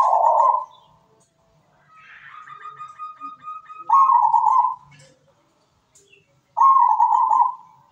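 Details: Zebra dove in melodious song. Rolling, purred coo phrases are repeated with gaps, and a steady whistled tone with faint pulsing runs between them.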